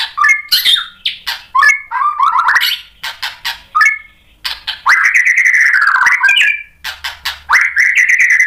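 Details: Lure song of a White-rumped shama meant to provoke a reply: a varied string of short two-note whistles and buzzes, then one long wavering whistled phrase, and a final steady whistle.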